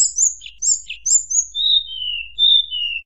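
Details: Flute-like song of a Sunda blue robin, described as agitating rivals: very high short whistles with quick twittering notes, followed by long, clear whistles that slide gently downward, each note separated by brief gaps.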